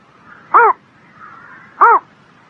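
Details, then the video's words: Two loud, brief, arched bird calls on a spring morning, about 1.3 seconds apart, layered with overtones above a soft, murmuring background. "Singing Bird in the Spring Morning"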